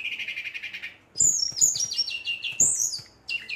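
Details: Short rolling burst from an agitated Brown-chested jungle flycatcher provoking rivals: a low steady warble, a pause, then bright high whistled phrases falling in pitch, repeated twice.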